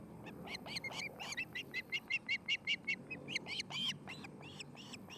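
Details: Nesting osprey pair in Charlo, Montana: rapid high chirps that swell into a run of clear piping notes and then break into harsher squealing calls, over a background hum.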